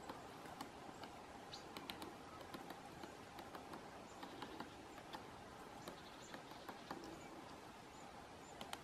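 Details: Great spotted woodpecker knocking on a pine cone in a forest in November, close up: sharp dry taps in irregular bursts, some in quick doublets and triplets, over a steady soft background hiss, with faint high bird chips.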